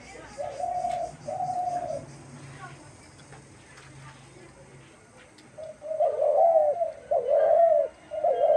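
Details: Dove recorded on March 28, 2024, with two drawn-out coos, a pause holding faint background noise, and then a run of louder, wavering coos that come close together toward the end.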